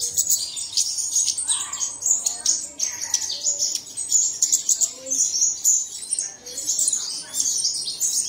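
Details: Bird song played in the early morning to get caged birds singing: dense, high, thin chirps and twitters tumbling over one another without pause, several birds overlapping in a busy chorus.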